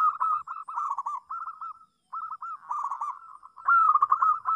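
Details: Melodious song of a local zebra dove, meant for teaching young doves: bubbling, rapidly trilled coos in a run of short phrases, with small gaps between them, ending in a louder sustained trilling stretch.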